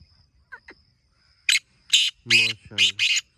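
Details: Black francolin heard in village countryside in the morning; a series of loud rasping, scratchy bursts, partly overlapped by a man's voice.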